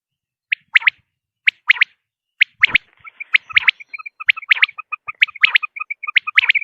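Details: Common quail giving crisp three-note phrases, sharp and quick, repeated about once a second. From midway, a steady high twittering of short tonal pips runs beneath the calls.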